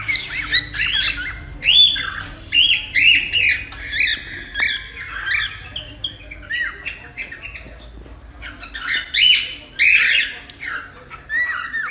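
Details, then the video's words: Cockatiel vocalizing to tame a pet bird: dense, rapid chatter of harsh squawks and bright whistled chirps, overlapping and irregular, several per second with brief lulls midway. "AMANSAR CALOPSITA EM 10 MINUTOS!"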